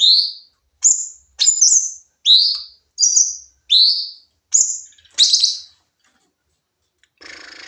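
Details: Sooty-headed bulbul firing off its song in a training recording: a quick run of eight sweet whistled phrases, high notes and upslurs alternating, ending in a slightly harsher phrase, then quiet and a soft rustle.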